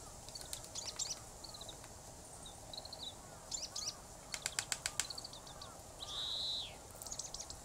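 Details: Japanese pygmy woodpecker drumming in sharp, spaced taps with a short buzzy rasp and thin high chirps, its song in the final seconds; Tataranuma Park, Tatebayashi, Gunma, Japan, 16 February 2016.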